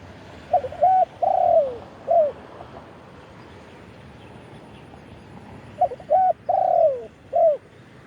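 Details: Spotted dove recorded live in khan yon style while calling wild doves from a decoy branch: two phrases of four hollow coos, the third long and gliding downward, separated by a few quiet seconds.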